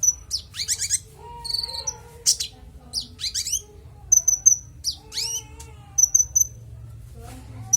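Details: Varied konin (Van Hasselt's sunbird) song in clear voice, meant as a teaching model for songbirds: scratchy high twitters, downslurred chirps and short piercing high whistles in quick groups, with pauses between phrases.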